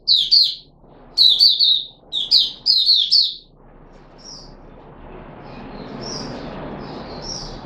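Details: Red-whiskered bulbul (Puteh Raja) kept in a cage, recorded 13 April 2021 after fruit juice, a mealworm and supplement: loud chirpy warbled phrases in quick bursts, then faint distant bird calls over a soft background hiss.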